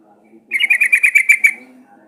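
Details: Sooty-headed bulbul singing, played as a lure to get other birds to answer: one loud, rapid string of about nine bright bubbly notes lasting one second, with quiet low background hum before and after.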